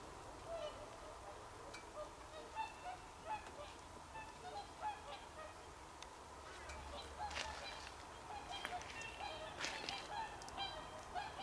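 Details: Swans calling on 24 December 2020: faint, scattered honking notes from a distant flock, repeated irregularly over a steady background rush of noise.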